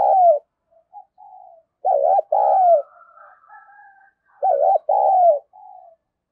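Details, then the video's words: Female spotted dove cooing to arouse males: a loud coo, then two loud phrases of a quick wavering note plus a longer husky coo, separated by soft, low murmuring coos. "cu mái gáy kích trống hiệu quả, trống nghe rất phấn khích và nổi nhanh"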